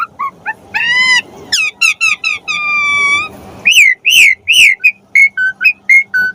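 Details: Asian pied starling, jalak suren, singing a tutor song for pet birds: rich harmonic whistles, a long steady whistled note, then a series of short clear upward-flicked whistles repeated quickly.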